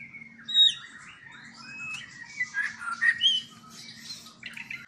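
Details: Captive-bred white-rumped shama at a Palembang breeding farm in Indonesia: scattered clear whistles and sharp upslurred notes, some loud, with a low electrical hum in the background.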